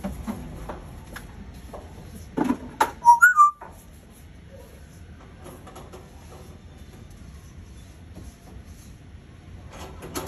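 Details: Captive African grey parrot at Ponderosa Zoo, Heckmondwike, West Yorkshire, on 18 September 2021, giving a brief burst of clear, whistled notes, rising then falling, then falling quiet over faint background knocks and murmur.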